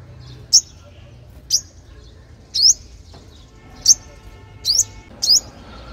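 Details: Sunbird calls played to lure young wild birds: six piercing, thin notes sweeping upward in pitch, roughly one per second, some doubled, over quiet low background noise.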